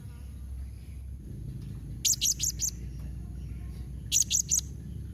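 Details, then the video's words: High, sharp triplets from a blue-crowned hanging parrot, given as a call to make other hanging parrots respond; two groups of three quick notes about two seconds apart over low-frequency background noise. "Kombinasi Suara SERINDIT MEMANGGIL NEMBAK Mbeset Seperti ni Jadikan Srindit Anda Nyaut Tambah GACOR"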